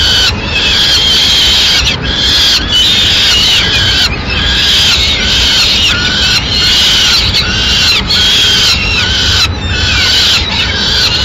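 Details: Female peregrine falcon carrying a pigeon to the nest, Madrid, 6 May 2016; insistent, harsh wailing calls repeated in bursts, roughly forty a minute, each drawn out and squealing, close and loud.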